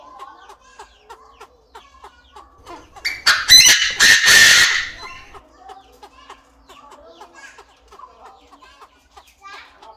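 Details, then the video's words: Captive Chinese francolin in an aviary, male crowing alongside a calling female: a loud, harsh, ringing burst of several rapid notes midway, with soft repeated peeps before and after. "Tiếng Chim Đa Đa Gáy, Đa Đa Mái Tục Trong Aviary Mới Nhất, The sound of the partridge crowing"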